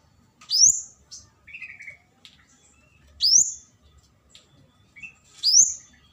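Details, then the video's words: Flowerpecker calling to lure a rival: sharp rising high squeaks repeated three times, with lower short whistled slurs and soft ticks in the gaps. "Pancingan burung kemade cabe-cabean GACOR NGALAS memanggil lawan"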